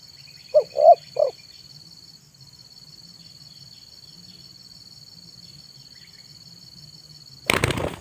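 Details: Zebra dove singing in the afternoon, used to lure wild birds: three quick, soft, mellow coos near the start. A steady high insect buzz runs throughout, and a sudden burst of rustling noise comes at the end.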